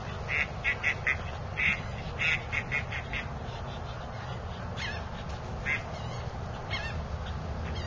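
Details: Pet duck quacking and complaining beside a mottled drake: clipped nasal quacks in short bunches of two to four, loud and close, spaced across the first half, then sparser single quacks against a constant low background drone.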